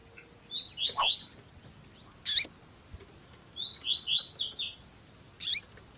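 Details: Coleiro, Double-collared seedeater, with female chirping in a 'tui tui zel zel' recording made to excite males: two series of high falling slurred notes, each followed by a single sharp loud chirp.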